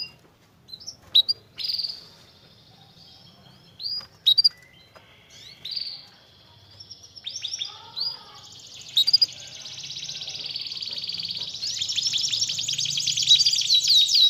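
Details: Canary used as a lure to make a lazy canary sing again: scattered short chirps and pauses, then a steady high trill that grows louder and denser toward the end.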